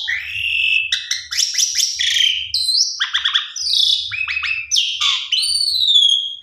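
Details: Lure song of a Black-collared starling, full of variation: buzzy descending phrases, quick stuttering notes, harsh rasping bursts and clear whistles, finishing with a long high slurred whistle.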